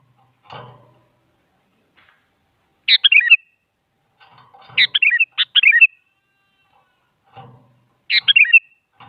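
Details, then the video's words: Female sooty-headed bulbul calling to a male, a lure to draw a reply from a quiet bird: short, bright, tumbling phrases of warbled notes, delivered in separate bursts with gaps, a soft low thump between them. "Suara Burung Kutilang Selalu Dicari Buat Pancingan Jadikan Kutilang Diam Ikut Nyaut"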